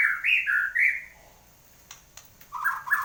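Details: White-rumped shama singing briskly after finishing its moult, a kept bird: several looping warbled phrases at the start, a pause with faint clicks, then a fresh burst of rising warbled notes.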